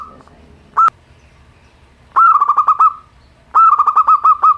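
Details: Simple-voiced local zebra dove, recorded to prompt reluctant birds to sing: a single sharp note, then two phrases of fast trilling coos that sag slightly at the end.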